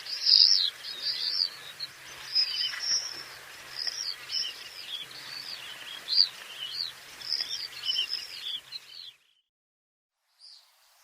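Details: Several common swifts trading high, wavering screams in rapid overlapping bursts for about nine seconds before the sound cuts to near silence.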